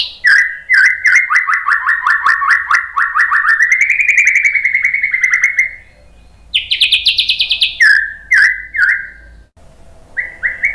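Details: Shama (murai batu) rapid shot phrases for tutoring and provoking other birds: a long even rattling trill that steps up slightly, then a higher buzzy trill, followed by short clipped whistled notes.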